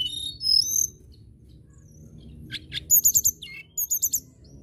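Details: A local common tailorbird singing: very high, thin chirped notes with a fast burst of five sharp repeated notes, then a second quicker burst of four, separated by short gaps, over a faint low rumble.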